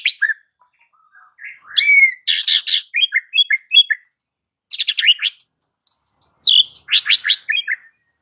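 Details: Lure song of a white-rumped shama for afternoon use, provoking silent birds to sing: phrases of loud buzzy rattles mixed with short whistled slurs, repeated in three bursts with pauses between.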